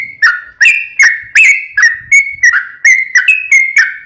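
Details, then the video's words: Sooty-headed bulbul in energetic gacor song, meant to get a caged trucuk to answer: a brisk series of clipped, whistled two-tone notes, roughly three per second, loud and clear throughout. "KICAU SUARA trucukan gacor ROPEL PANJANG pancingan trucukan agar bunyi"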